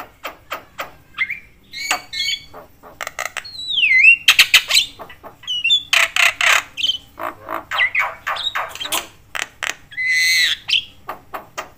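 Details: Chatty Javan myna whose voice is meant to rile up other mynas. Scattered clicks, a swooping downslurred whistle, thick grating bursts in the middle, and a hoarse drawn note near the end.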